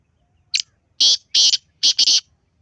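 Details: Black francolin calling: one brief thin note, then a loud harsh series of three rasping notes, the last one doubled, all within about a second and a half, close and clear.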